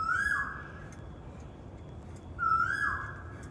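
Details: Asian koel singing in a park in Janakpur: two loud, clear whistled notes, each rising sharply then sliding down, about two seconds apart, over soft background hiss with faint high chirps from other birds.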